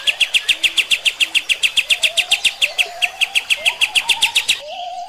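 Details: Kapas tembak song used as training material for other birds: rapid, evenly spaced sharp high chips, about three to four per second, repeated steadily, with a lower wavering whistle running underneath.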